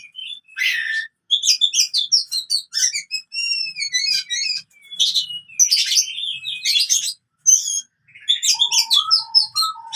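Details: Oriental magpie-robin fighting song, used to train birds that have stopped singing: varied whistled and scratchy phrases, clear rising and falling notes mixed with buzzy bursts, short pauses between phrases.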